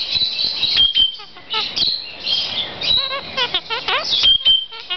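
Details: Kakariki calling: rapid series of short, harmonic chirps and rising-falling notes with high squeaky whistles, overlapping in a busy chatter, with human speech mixed in.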